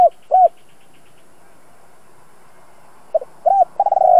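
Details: Spotted dove kept as a training decoy, two-ending voice: two arched coos at the start, a long quiet gap, then a short double note, an arched coo and the start of a rolling purred coo.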